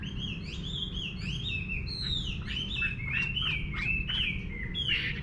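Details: A Chinese hwamei (Garrulax canorus) singing in a countryside garden: a rich, varied run of loud whistled phrases, slurred up and down and tumbling quickly, over a steady low rumble.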